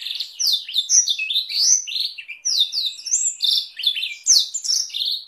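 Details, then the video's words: A canary sings a long, fast, continuous, high-pitched song with Blackthroat-style rolls, bright twittering notes, quick rising whistles and rolling trills, almost without pauses, as a training song for canaries and magpie-robins. "Masteran Kenari Durasi Panjang dengan Variasi roll Blackthroat"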